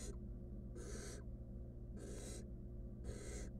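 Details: Nest-box camera on a wild barn owl chick with a stolen rodent: rasping, noisy hiss-snores of about 0.4 seconds come three times in steady rhythm over a low background hum.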